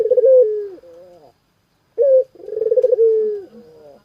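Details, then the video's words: Spotted dove, described as gacor and suited to home ambience, giving a mellow throaty coo: brief rolling notes sliding into a sustained descending tone, a pause, then a short sharp note followed by a pulsing rolled phrase and a long falling hoot. "Suara Burung Puter Gacorrr"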